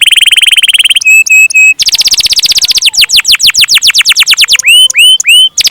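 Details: Canary singing a long-roll gacor song: fast, high, repeated syllable trills about three per second, shifting between buzzy rattles, clear whistled slurs and rising sweeps, with abrupt changes of phrase.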